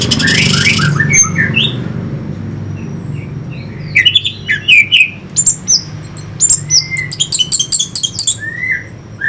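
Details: Orange-headed thrush singing to provoke fighting birds; a noisy opening gives way to rapid, crisp, high chips and short whistles repeated in quick rhythm through the second half.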